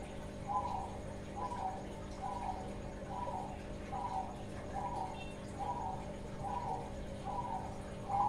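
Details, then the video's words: Young Bangkok-type zebra dove starting to sing well, giving short trilled cooing phrases repeated steadily about once a second, over a constant low background hum. "perkutut bangkok muda mulai gacorrrr"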